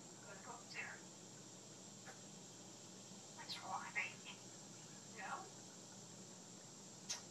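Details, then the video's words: A pet African grey parrot at bedtime talks in short, muffled, speech-like bursts and mimics snoring, irregularly spaced, over room hiss and low hum. Recorded from around a corner and behind glass. "African Grey Parrot Talks and Snores"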